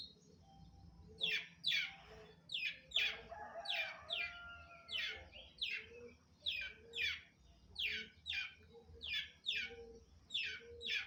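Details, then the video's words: Long-tailed shrike, known locally as cendet, singing energetically (gacor) at dawn. Harsh, scratchy high notes repeat roughly every half second, each a short downward-slurred burst, with a faint low hum beneath. "Cendet Gacor"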